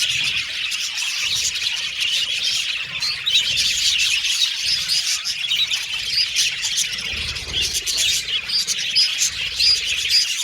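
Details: Pet Australian budgies singing: a long continuous mix of rapid chirps, scratchy squawks and warbling chatter, the group babble staying dense and high for the whole stretch.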